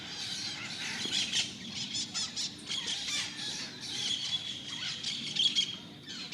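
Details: A raucous flock of Dominican parrots feeding in fruiting trees such as mangoes, almonds and guavas in the morning, squabbling over branch space; harsh overlapping squawks crowd the whole stretch, rising and falling in loud bursts with a steady insect hum beneath.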